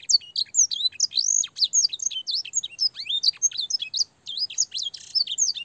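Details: Canary singing a long training song with blackthroat and singer-style phrases, clear-voiced: rapid high twittering of sharp chirps, trills and slurred whistles in an unbroken stream, one brief pause near the end.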